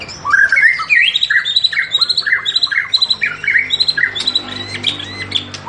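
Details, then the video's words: White-rumped shama singing in fighting style: a dense, continuous run of varied whistled and chattering phrases that jump between mid and high pitches, with quick slurred notes and no pauses. "Gaya tarung MURAI BATU SUPER"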